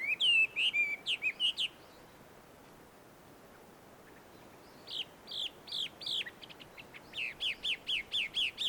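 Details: Chinese hwamei singing wild near a Tenmangu shrine among shady trees in Joso, Ibaraki, Japan. Bursts of loud, bright whistles are separated by a pause of about three seconds, then the song resumes in steady repeated notes.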